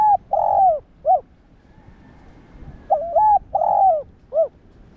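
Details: A spotted dove's cooing, meant to get other doves calling: two matching phrases about two seconds apart, each a broken double coo, a long purring coo and a brief final coo, in a quiet setting.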